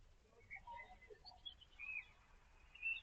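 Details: European robin singing in the early morning: thin, varied high phrases of short warbles and clear whistled notes, some rising or falling, scattered irregularly over a few seconds above a faint low rumble.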